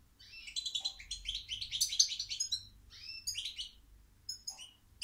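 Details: Goldfinch (stiglica) singing a bright, rapid twitter of high chirps and trills. The run is broken by a brief pause before a few more sharp notes and short liquid phrases follow.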